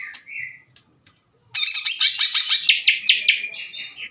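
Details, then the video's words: Aggressive caged greater green leafbird in loud, clear song that challenges rival leafbirds. A brief whistled note and soft ticks lead after a pause into a dense, scratchy burst of rapid chattering phrases. "CUCAK IJO GACOR NGEPLONG DAN TEMBAKAN KASAR NGAJAK IJO LAIN TARUNG"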